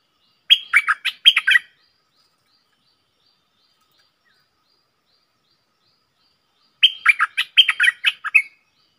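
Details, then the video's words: Two lively bursts from a caged stripe-throated bulbul, 7 June 2021, separated by about five seconds of silence; each burst strings together rapid liquid, chattering notes, the second one longer with around ten syllables. "เสียงต่อนกดอกแตงEp.57Bird sounds"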